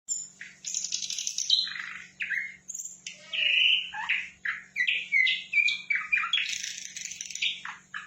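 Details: Sikatan londo flycatcher singing energetically: a rapid, varied run of high chirps, buzzy trills and short whistled notes, several phrases packed together, over a faint steady low hum.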